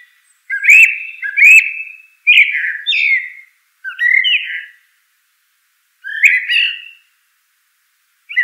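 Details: Common blackbird (Turdus merula) repeating mellow, slurred fluting phrases about once a second, some with faint high squeaks added, followed by a short gap and another warble.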